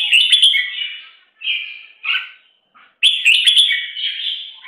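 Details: Bulbul chicks being fed by their mother give harsh, buzzy, high-pitched begging calls in two long bursts, with short scratchy notes in the pause between them.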